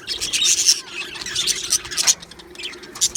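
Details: Happy Australian budgerigars in a colony give bright, busy chirps and tweets, overlapping high notes with short squeaky bursts and brief gaps of quieter chatter.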